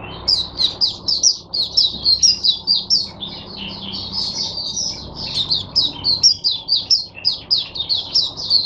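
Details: High, lively twittering song from a captive oriental white-eye kept as a teacher bird for other white-eyes, 22 January 2022: quick chattering notes in bursts, briefly easing, then pulsing again in fast repeated phrases.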